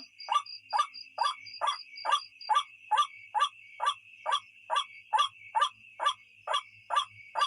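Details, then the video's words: White-breasted waterhen calling, recorded for luring birds at night; a long even series of rough croaks, roughly two per second, very regular, with a constant insect-like high whine running underneath. "suara burung ruak ruak pikat malam"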